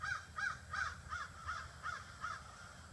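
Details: Seven evenly spaced rasping caws, roughly one every 0.35 seconds, from crows assembling in trees in front of a house each evening, a flock of about 30 to 40.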